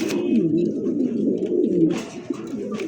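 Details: Pigeons offered for sale with eggs and chicks, including Lahori, Bombay, Satin, Danish, Modena and racer breeds, cooing in low rolling, wavering tones indoors in a small room, with a few brief knocks.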